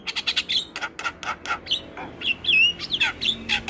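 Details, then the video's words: Javan myna master song with full fills for training captive mynas: rapid harsh broadband chatter bursts, then clear rising and falling whistled notes, fast and uneven. "Semua Jalak LAngsung Respon Dengar MAsteran Jalak Kebo Full isian - MAsteran Jalak gacor"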